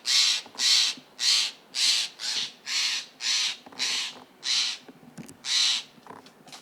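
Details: Steller's jays heard in the distance in a steep California forest give about ten harsh, raspy "shack" calls, nearly two each second, over faint hiss; they may be harassing a spotted owl nearby.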